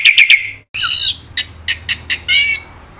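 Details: Black-winged myna, its isian song used to lure and train birds that stopped singing, giving three harsh chattering notes, a gap, then a raspy squawk followed by scattered short clicks and a final harsh burst.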